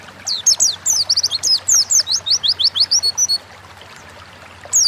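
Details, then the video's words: Oriental white-eye, a kept songbird, singing in full wild style as a lure to make other white-eyes sing: rapid high, thin descending chirps in quick series, then a pause with a faint low hum beneath. "Burung pleci gacor ngalas pancingan bahan agar cepat bunyi"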